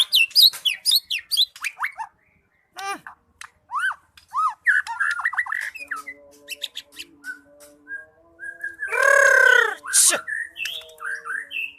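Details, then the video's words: White-rumped shama delivering a long, varied song of fast looping whistles and sharp chips, with a harsh, noisy rasping burst near the end and a low steady tone in the background. "Burung Murai batu gacor dor"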